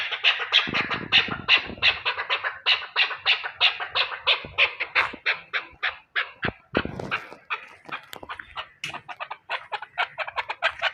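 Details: Chukar partridge in Pakistan giving an unbroken series of grating chuk-chuk notes, about three per second, with a few clicks and knocks in between and softer notes at the close.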